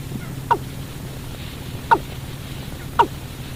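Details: Watercock call played as a night-time bird-trapping lure: three loud hollow notes, each sliding sharply downward, spaced one to one and a half seconds apart over a low background hum.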